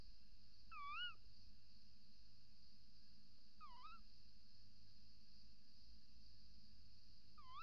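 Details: Female little owl at the nest-box entrance hole, filmed by camera at dawn on 28 December 2018, male calling outside: loud swooping mewing calls repeated about every three seconds, the last cut off, over a steady electronic whine.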